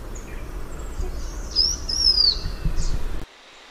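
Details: A single drawn-out, high whistle from a blue-winged minla, holding level and then dropping at the end, with a soft chirp after and low rumbling noise underneath.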